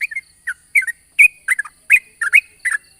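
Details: Yellow-vented bulbul lure song in a long 'ropel' style, recorded in the morning to prompt young bulbuls to sing: short bubbly whistled phrases, rising and falling, repeated roughly every half second with brief gaps; faint steady high hiss.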